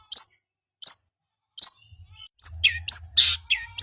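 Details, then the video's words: Long-tailed shrike song played to prompt a bird that has stopped singing to start quickly: three separate sharp, high chirps, then a rapid jumble of varied squeaky, high-pitched notes. "Pancingan cendet macet Agar cepat bunyi"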